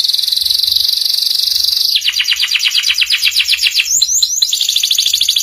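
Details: Canary singing a master song of the ngeriwik type for young birds to learn: a steady buzzy high rattle for two seconds, then a quick rhythmic trill of sharp repeated notes, with a brief jumble in the middle.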